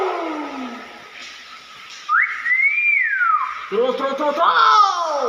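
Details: Common hill myna, kept as a pet, giving a loud whistle that rises, holds steady, then slides down, followed by buzzy rising notes, with a person saying "wow" and background music.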